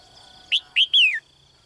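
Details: Female bird in a cage calling to attract a strong male, one phrase of three high chirped notes, the final one longer and gliding down.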